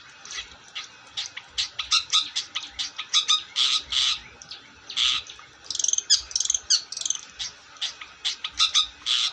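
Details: Long-tailed shrike in full song: a long, varied, energetic stream of harsh chatters, clipped chirps and scratchy bursts, delivered in quick clusters with short gaps.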